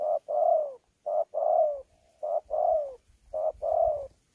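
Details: Wild-caught thổ pha spotted dove contest-cooing with gù, Sa Thầy, Kon Tum, late November 2019. Four paired coos, each a short clipped note followed by a drawn-out, gently falling coo, with faint low rumble behind.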